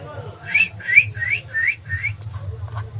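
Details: Rose-ringed parakeet, a rescued pet ringneck in Bangladesh, talking in mimicry of human speech: five rising whistled syllables repeated about every 0.4 seconds, with a low hum and a soft voice behind.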